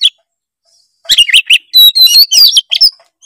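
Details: Young spotted-plumage Oriental magpie-robin singing loud, lively song used to prompt a lazy juvenile to sing: a brief high note, a pause, then a rapid run of varied whistled phrases, sweeping and warbling notes, some rising, some falling.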